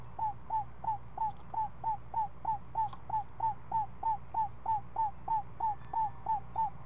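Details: Screech owl nest, owlet seven days old, parent feeding it snake in the afternoon. Clear hooked, down-curving notes repeat very evenly, about three per second, for the whole stretch.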